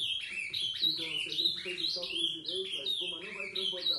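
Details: Ultramarine grosbeak singing after 11 at night: a continuous run of quick warbled phrases with rising and falling slurred notes, high and bright, while a man talks quietly underneath throughout.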